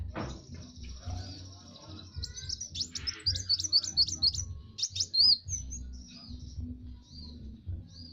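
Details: Kowul singing a master song for other birds to learn: a rapid run of sharp, repeated high notes, then scattered chirps, over a steady low hum.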